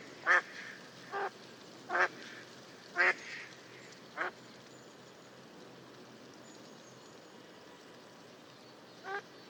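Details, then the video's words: Mallard recorded in the wild giving a loose series of five short nasal quacks at irregular intervals, then a pause and one fainter quack near the end, against soft steady background hiss. "Mallard Sound – Song & Bird Calls"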